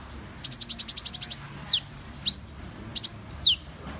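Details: Van Hasselt's sunbird delivers a run of about ten quick high ticks, then several falling and rising slurred whistles and a pair of sharp chips.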